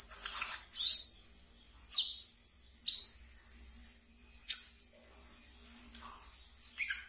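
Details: Caged wiceh singing in the ngeriwik style, kept as a pet and played as a training lure for brown-throated sunbirds: sparse, sharp high chirps and short buzzy squeaks, spaced about a second apart, with quiet pauses between.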